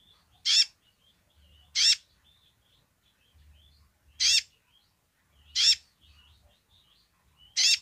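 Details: Sunbird singing vigorously in its basic song: five loud, harsh, buzzy bursts at irregular gaps of about one to two and a half seconds. Faint short high chirps fill the pauses over a low hum.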